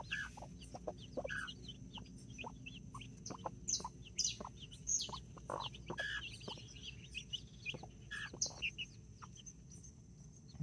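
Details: Two mother hens with nine chicks, four mini and five Brahma, in a Colombian backyard on 24 October 2024. Dense shrill peeping mixes with short low clucks, with louder chirp clusters near the middle.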